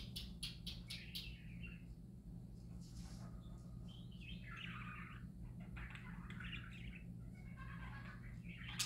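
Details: Quick clicking taps open, followed by happy parakeets' bubbling, buzzy warble phrases with squeaks, all over a low continuous hum.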